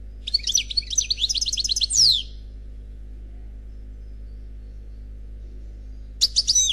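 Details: European goldfinch, unpaired male, singing Khalwi style: a rapid series of high, evenly spaced chirps ending in a descending slurred whistle, a long pause, then a new twittering phrase begins.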